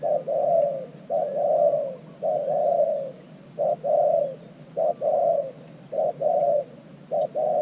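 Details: Decoy spotted dove, a new bird, calling at an earthen trap to attract wild doves. Steady, soft, low coos in short-then-long pairs, about one a second, over faint background hiss.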